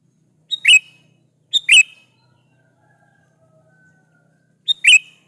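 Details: Gacor kutilang (sooty-headed bulbul) master song played to provoke other bulbuls into answering; three quick two-part chirping phrases, the first two a second apart, the last after a longer pause.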